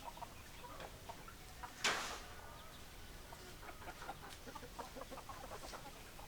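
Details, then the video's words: Chickens, hens and roosters together, giving rapid overlapping clucks throughout. Near the two-second mark one loud, harsh, broadband squawk or burst stands out, then quieter scattered clucking carries on. "Chicken Sounds Noises Hens Clucking Roosters Crowing"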